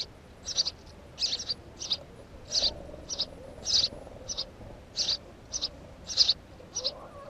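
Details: House sparrow recorded at its nest, giving high chirps in loose clusters, some run together in pairs, against a soft hiss with faint lower tones.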